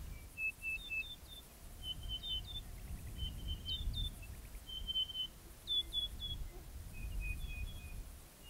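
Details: Western ground parrot (Pezoporus flaviventris) of the low heath of Western Australia's south coast calls at dawn or dusk: runs of thin, high, pure whistled notes, each call rising in pitch like a kettle, over a steady low wind rumble.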